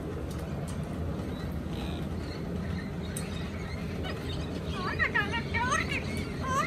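An Amazon parrot gives a short run of wavering, speech-like syllables near the end, over steady low rumbling traffic noise.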